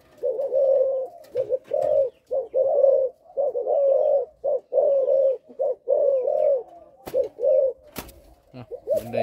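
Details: A young captive-bred spotted dove of a Malaysian line coos in soft, mellow phrases, each opening with a stuttering run of three quick notes, repeated steadily with a few clicks behind.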